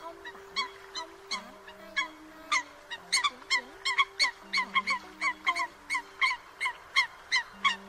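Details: Eurasian coots calling the flock, a lure for night netting of migrants: dense, continuous honking notes, several birds overlapping, repeated rapidly throughout against low steady humming tones.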